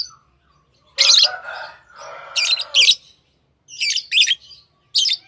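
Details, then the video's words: Pet lovebirds make a loud, rasping squawk, then paired high chirps and a final sharp note in quiet surroundings. "Love birds Sounds | lovebirds chirping sounds"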